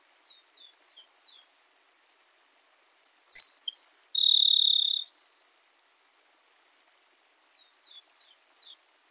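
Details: Grassland sparrow singing: soft high slurred notes, then a loud piercing note, a brief higher whistle and a drawn-out dry buzzy trill, followed by silence and more faint high slurs near the end.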